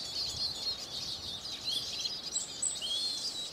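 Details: Song of a Eurasian siskin, a steady stream of quick high twitters and thin slurred whistles, with a few sharper rising and falling notes near the end, over faint hiss.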